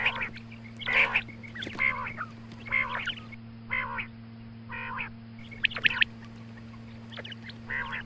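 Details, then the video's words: Female quail morning calling, presented for hunting: hoarse, nasal, duck-like squawks repeated roughly once a second in uneven groups, a few sharp clicks among them, and a low electrical hum throughout. "Female Quail Calling Suba Lagty waqte Ki Awaz Female Batair Calling"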